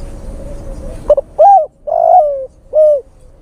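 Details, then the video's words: Male spotted dove calling to a female, a lure recording: after a soft hum, one phrase of a short clipped note, a rising-falling coo, a long wavering coo and a final rounded coo, evenly spaced. "SUARA PIKAT TEKUKUR JANTAN memanggil betina"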